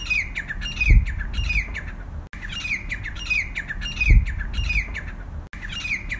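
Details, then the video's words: Repeated harsh calls of a grey francolin, or teetar: strident, squawky note series falling in pitch, cycling about every three seconds with abrupt edit gaps, over faint low-pitched background rumble. "तीतर की आवाज - Teetar Ki Awaaz - Grey Francolin Sound - Grey Francolin Voice"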